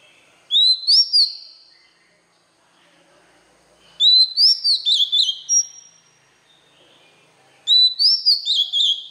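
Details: White-rumped shama song for training young birds: three loud whistled phrases about 3.5 seconds apart, each rising then breaking into a quick run of varied notes with high flicks.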